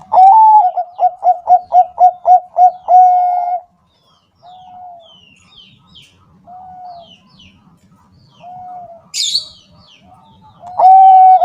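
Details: Bangkok-type zebra dove, a lure recording meant to make caged doves sing: a quick run of about eight low, pulsed coos ending in a drawn-out hum, then softer scattered coos, faint chirps and a brief high chatter from other birds.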